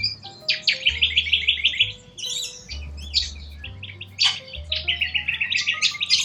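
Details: Wild corellas calling in Australia, with many overlapping rasping squawks and quick chattering runs of high notes, and a low steady hum beneath.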